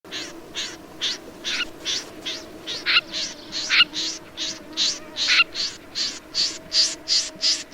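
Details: Snipe calling in a steady series of short, harsh, rasping notes, about two to three each second, evenly spaced and slightly varying in loudness, over a faint low background hum.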